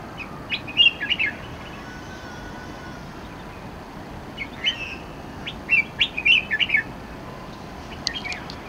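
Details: Red-whiskered bulbul near Ho Man Tin MTR station, giving bright, chirpy notes in two quick bursts, one early and a longer run a few seconds later, over a steady hum of distant traffic.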